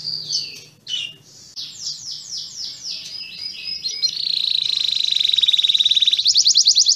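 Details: Canary singing scattered slurred notes that run into a rapid, even trill and end with a sharper, higher trill, with a low murmur of background noise.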